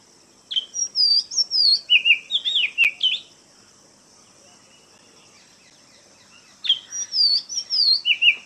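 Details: Oriental magpie-robin, named in Malayalam as mannathippullu, singing clear whistled phrases of sliding, varied notes that dip and rise, delivered in two bursts of about two and a half seconds separated by a quiet pause; a steady high background hiss persists throughout.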